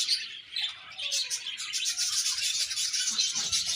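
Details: Short stretch of budgerigar colony chirping, a thick, even blend of high warbling tweets and scratchy notes from many birds, steady in loudness.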